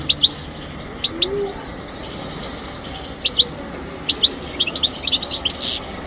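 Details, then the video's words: Wild goldfinch × canary hybrid (mule) singing: short bright chirps in clusters, then a quicker run of high tinkling twittered notes near the end, over a low steady background hum. "مقنين خلوي جديد"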